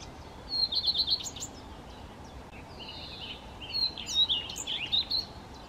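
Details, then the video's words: Common redstart singing two short phrases of high, quick twittering notes, each about a second long, with a thin drawn-out whistle between them, over a steady background hiss. "Rehek zahradní zpěv, Common Redstart, Gartenrotschwanz"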